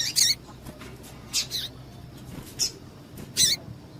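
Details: Female double-collared seedeater calling to excite males, a call valued by breeders of singing-tournament birds; four short, sharp, high chips spaced roughly a second apart over a faint low hum.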